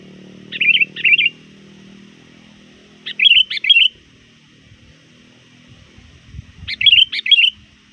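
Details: A trained sooty-headed bulbul lure bird calling near dusk gives three bubbly, fluty bursts of two or three quick notes, roughly three seconds apart, over a faint low rumble.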